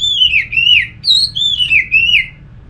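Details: Continuous sweet warbling from an orange-headed thrush, used as a lure so other thrushes sing along: rolling whistled notes that swoop down and up, strung together without break, then fading out, in a quiet setting.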